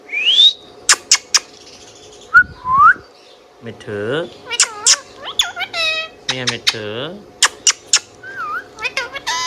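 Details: Captive Indian ringneck parakeet chattering at length: rising whistles, clicks, and wavering speech-like and meow-like harmonic phrases, some low and voice-like, others high and squeaky, repeated in uneven bursts.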